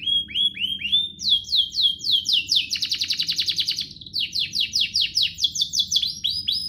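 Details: Canary singing a rich master phrase for young birds: rising whistled notes, then series of rapid descending sweeps, a long fast rattling roll, and more quick sliding whistles, each repeated several times a second.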